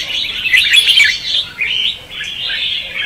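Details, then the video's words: Lure song of a red-whiskered bulbul in the 'ché' and 'xòe' style, used to trap and provoke other bulbuls. Rapid, bright whistled warbling flows continuously, with a brief dip in loudness near the end. "Chào mào Luyện giọng | Hót Ché - Xòe hay Đỉnh cao từ trước tới nay , Bẫy đấu Chim Chào mào"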